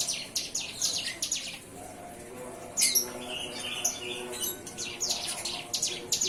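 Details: Young bar-winged prinia, just weaned from hand-feeding and beginning to sing, gives bursts of high, thin chirping notes in quick runs. The runs pause briefly near the middle, then resume with repeated sharp tweets.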